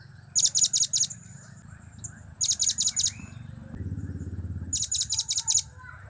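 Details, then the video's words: Three regular bursts of five rapid, shrill high notes each from a blue-crowned hanging parrot, giving cap, kiak and crap calls, with a low rumbling noise between the second and third bursts. "Trio Cap²/Kiak²/Crap² Semakin Gacor"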